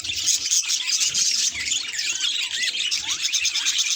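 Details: Budgerigar at a mirror pours out a busy, high warble, with short rising and falling whistled squeaks woven through continuous chirping.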